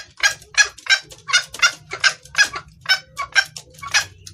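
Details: Red junglefowl hen calling the male, recorded for luring: raspy clucks spaced about half a second apart, evenly repeated, with a low buzzing hum beneath.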